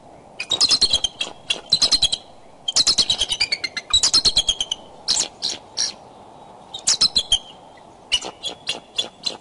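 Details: Courting bald eagles at the Decorah nest, 2 February 2012, 9:30 am, calling from the branches during possible mating. Rapid high chattering series of sharp piping notes, each run sliding slightly downward, repeated in bursts across the clip.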